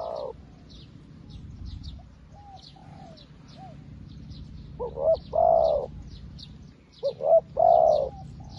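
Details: A newly used decoy spotted dove calls out to wild doves. Soft coos are followed by two loud phrases of quick short notes that lead into a drawn-out rolling coo. Thin, high twittering of small birds runs throughout.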